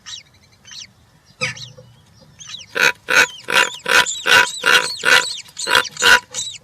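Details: European roller chicks in a nest with three chicks, 20 June 2023, begging with a quick series of about nine harsh, rasping squawks, roughly two per second, laced with thin squeaky notes, after a few faint high whistles.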